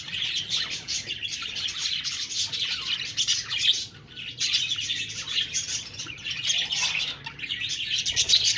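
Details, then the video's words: Budgerigar flock giving nonstop high-pitched chirping and warbling; the chatter dips briefly to a quieter moment midway, then resumes just as dense. "Budgies Birds talking sound Birds chirping sounds"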